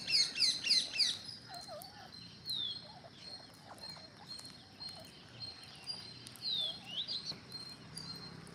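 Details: Green parrots: a short burst of shrill, rapidly repeated squawks opens, then only faint scattered whistles and chirps remain over a steady background hiss.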